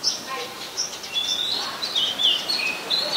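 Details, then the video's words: Song of an Oriental magpie-robin, a very common resident in Ubon Ratchathani, Thailand, July 2021: rapid sweet whistles and short slurred notes follow one another without pause, over a light background hiss. "นกกางเขนบ้าน Oriental Magpie Robin (singing)"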